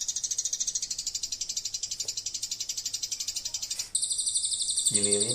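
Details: Lovebird chatter of rapid, high buzzy notes about twice a second, shifting to shriller rattling trills near the end, with a man's voice briefly underneath. It is played as an MP3 song model for training long-tailed shrikes.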